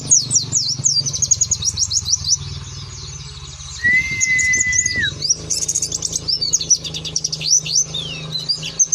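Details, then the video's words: Ngeriwik song of an Oriental white-eye, soft with 'nembak' bursts: fast high chirping trills, a quieter pause broken by a steady whistled tone around the middle, then renewed sweeping twitters and chirp runs, constant low hum underneath. "burung pleci ngeriwik ikutan nembak"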